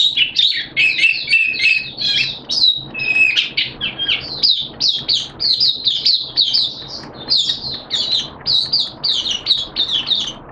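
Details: Hobby Oriental white-eye delivering opening song, 11 September 2022, wet and erratic weather; sustained fast chatter of high, sharp chirps packed tightly, with a brief lower whistled passage early on.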